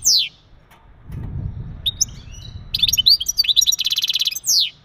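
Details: Male European goldfinch trilling to prepare a female for breeding: a sweeping downward whistle, scattered chirps, then fast tinkling twitters and a dry buzzy rattle, closing with another falling sweep.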